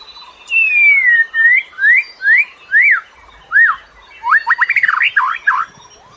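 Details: Lure bird song used to attract other birds: a long descending whistle, then a series of clear upslurred and downslurred whistled notes, ending in a quick run of rising chirps.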